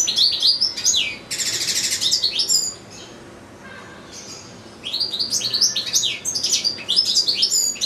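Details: European goldfinch, caged with another goldfinch and two goldfinch-canary hybrids, sings fast tinkling twitters, breaks into a harsh buzzy rattle, falls silent for about two seconds, then resumes rapid chattering phrases.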